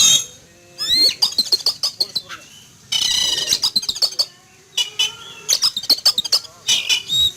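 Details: Oriental magpie-robin kept in a cage and sunned in a yard one morning, agitated after spotting a flying eagle; sharp high chirps and whistles alternate with a long harsh buzzing rasp midway, repeated in busy bursts.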